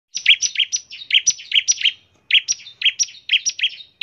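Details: Bar-winged prinia singing constantly in the rapid 'ngebren' style, used as a lure to make other prinias start singing; bright paired high notes, each dropping to a lower buzzy note, fire in a fast stuttering series with one brief pause.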